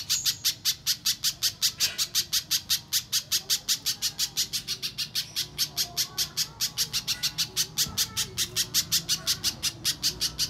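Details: Long lure sequence of a little spiderhunter aimed at making an untrained bird call: some fifty-five piercing high chips delivered nonstop at a fast, steady clip.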